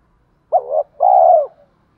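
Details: Spotted dove with a 'giọng thổ' voice, cooing to draw wild doves in to fight a decoy: a short wavering coo, then one long, steady, mellow low coo.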